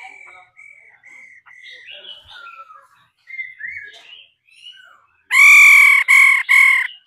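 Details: Female laughingthrush stimulating a male to sing. A series of whistled, warbling phrases is followed at the end by three very loud, coarse, rasping calls.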